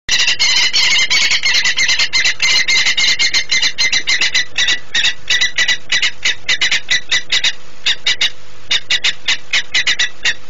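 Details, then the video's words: Saker falcon screaming in flight at PKN Orlen in Płock, Poland, on the morning of 24 September 2017 at 09:13, while another falcon circles: harsh, grating notes repeated rapidly, about three per second, slowing into spaced bursts. "Saker flew screaming"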